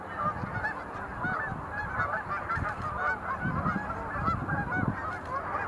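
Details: Dancing sandhill cranes at Montezuma National Wildlife Refuge visitor center, November 2020: a steady mass of overlapping trumpeting, rattling calls, with soft low rumbles beneath.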